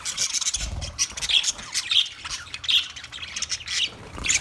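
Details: Budgerigars chirping for a lonely bird: rapid high chirps and scratchy squawks in uneven bursts, a few sharper whistled notes standing out, with faint low thumps in the background.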